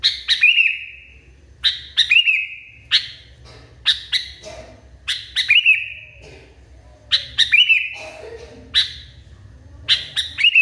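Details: Sooty-headed bulbul in a highly agitated state, repeating a phrase about every one to one and a half seconds. Each phrase has two or three sharp clipped notes, then a drawn, slightly bending tone.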